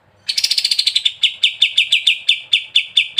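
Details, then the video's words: Sooty-headed bulbul singing in the rapid ngebren style, from a tutor recording for songbird keepers: a quick run of sharp, high chirps that starts dense and buzzy, then slows into evenly spaced, slightly falling notes about five per second. "KAPAS TEMBAK GACOR BESET NGEBREN"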